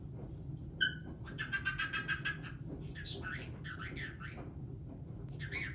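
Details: Caique parrot that sings, laughs, swears and dances. A sharp squawk opens, then a run of rapid buzzy chirps and warbling, squealing calls over a steady low background hum.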